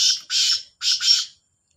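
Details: Kala teetar, the black francolin, calling against a rival: two pairs of harsh, grating syllables, each pair split by a brief break, then silence.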